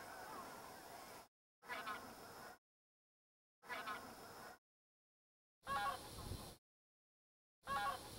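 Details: Wintering Middendorff's bean geese (Anser fabalis middendorfi) in northern Miyagi, Japan, Nov 2010–Jan 2011, give nasal, resonant distant calls ("I'm here") in separated bursts over wind hiss; earlier calls higher, later ones lower.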